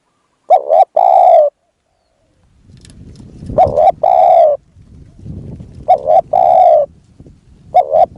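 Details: Decoy spotted dove cooing to draw in a wild dove. Four repeated phrases each pair a quick double note with a longer rich coo, over a rustling, breezy background.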